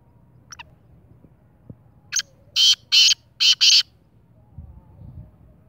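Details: Kala teetar, the black francolin, calls with a rhythmic series of four or five loud, harsh, scratchy bursts in about two seconds, preceded by a faint thin note.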